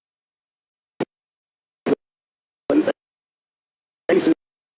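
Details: Four short bursts of speech with silence between them.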